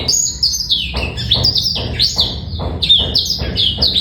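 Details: Clear male black-throated canary song, meant to coax young birds into singing: quick high chirps and slurred whistles in bursts, with brief sharp pauses between phrases over four seconds.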